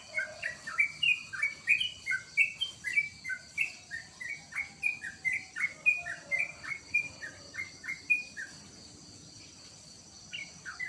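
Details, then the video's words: Sooty-headed bulbul, known locally as trotokan or trucukan, a pet bird kept at home, giving a lively run of short, bubbly, whistled chirps about twice a second for eight seconds, then a pause and a brief restart, over a steady high insect-like hiss. "trotokan alias trucukan bandul"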